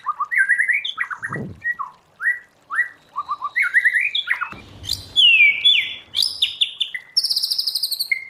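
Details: White-rumped shama wild-voice training song: varied whistled phrases with repeated short notes, slurred upsweeps, a burst of bright fluty notes and a final fast high rattle.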